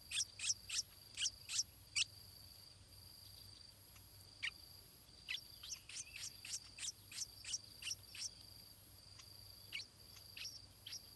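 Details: Nestling stripe-throated bulbul begging while parents bring food: rapid, thin, high chirps in loud bursts, pausing, then resuming in a long irregular run of sharp peeps against a constant shrill insect hum.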